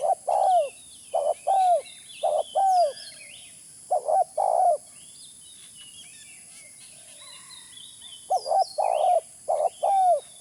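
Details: Spotted dove calling, used as a lure. Deep coo phrases pair a brief stuttered note with a drawn-out falling one. They come in bursts, with a quiet pause of about three seconds mid-recording. Thin chirps of other birds sound faintly above.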